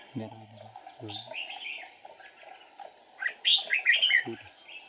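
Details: Trap decoy red-whiskered bulbul, 8 April 2019: a soft warbled phrase under a few low spoken sounds, then a louder burst of bright, tumbling, slurred notes near the end.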